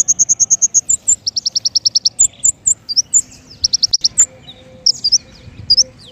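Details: King konin singing, used to lure birds for trapping: a quick even string of sharp high chirps, then a lower run of rapid ticking notes, single piercing calls and scattered twitters.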